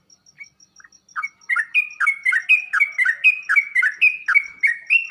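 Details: Sooty-headed bulbul song used as a tutor recording to make kept bulbuls answer and sing: after a second of scattered soft notes, loud rich warbled phrases repeat rapidly, over a faint steady high ticking.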